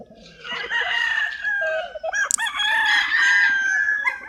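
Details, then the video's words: Chicken flock with roosters crowing: dense, overlapping harmonic calls that run almost continuously, with a brief sharp squawk in the middle. "Chicken sounds, Roosters Crowing sound effects"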